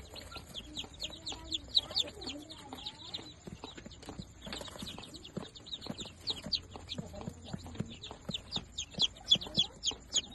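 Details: Fifteen newly hatched Darag native chicks, a day old, cheeping busily; sharp high downslurred peeps come several per second in irregular bursts, some louder near the end, over faint tapping and shuffling noises.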